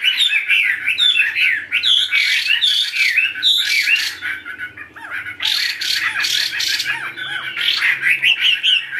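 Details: Tame Chinese hwamei in a cage, singing indoors: loud, dense, rolling whistled phrases mixed with harsh, squawky bursts, over a faint low hum.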